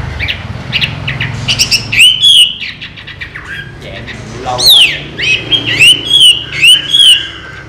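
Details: Chinese hwamei, a trained caged bird that flies out of its open cage and returns, singing loud slurred whistles that rise and fall, given in short phrases with gaps, while people talk in the background.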